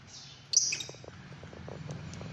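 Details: A Fischer's lovebird utters a short shrill squeak followed by a softer, lower-pitched note. Light ticking and tapping sounds continue afterward over a low background hum.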